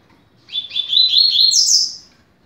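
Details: Double-collared seedeater song used to teach young birds, a fast 'rápido de bico' style: one rapid phrase of high chipped notes climbing steadily and ending in a sharper, higher flourish, with a quiet background.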